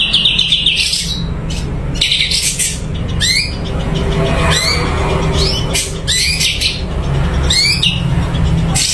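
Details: Cucak cungko, a blue-winged leafbird kept caged, in full song: a rapid buzzy trill, then a string of sharp ascending whistles and squeaky notes, over a continuous low hum.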